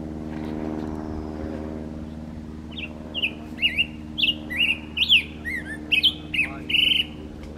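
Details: A black-headed grosbeak sings a rich, robin-like run of sweet slurred whistles, rising and falling in quick phrases, over a steady low engine hum; recorded 6 June 2024 at Dungeness County Park.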